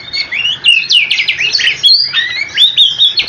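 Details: Short burst of oriental magpie-robin rolling song meant to make other magpie-robins answer: rising whistles, a quick run of stuttered notes and long clear upslurred whistles, with one brief pause midway.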